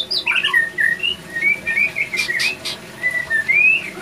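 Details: Male white-rumped shama in breeding condition; series of clear drawn-out whistles, some rising and falling, with brief chirps and faint clicks between them.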